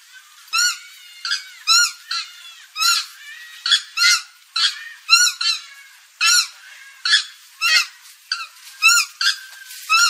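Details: Purple swamphen, known locally as kalim, giving loud nasal honking calls. Each call is a harmonic-rich squeal with a short upward-then-downward inflection. Calls come in an irregular series of about one per second, with no other sounds audible.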